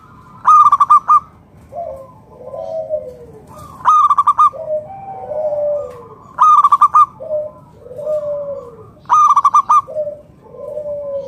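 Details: Local wild-type zebra dove singing to lure other doves into song: four bursts of rapid stuttering coos about every three seconds, with softer, lower, drawn-out falling coos from other doves between them.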